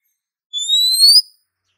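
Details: Female Oriental magpie-robin calling a male: one clear, high whistle that climbs gently and swells toward its end, in otherwise silent surroundings.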